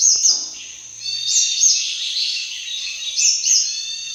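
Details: Sunbird hunting call: a continuous high, shimmering twitter with sharp chip notes repeated every few tenths of a second throughout.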